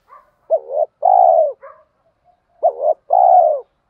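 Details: Cooing spotted dove, a lure sound for training newly caught birds. Two matching two-part coos about two seconds apart, each a quick hooked note then a long falling one, with faint soft notes between.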